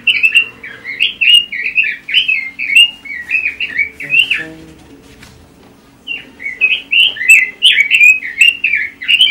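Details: Pekin robin in continuous ngoceh chatter: a long, bouncy stream of fluty, slurred warbles, briefly broken by a short quiet gap before the rapid warbling resumes, with a soft low hum underneath.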